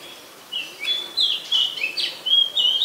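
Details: Song of an Oriental magpie-robin, Ubon Ratchathani, Thailand, 20 September 2022, Nikon P1000: bright whistled phrases, rising and falling slurs alternating with short flat tones, delivered quickly after a brief quiet start.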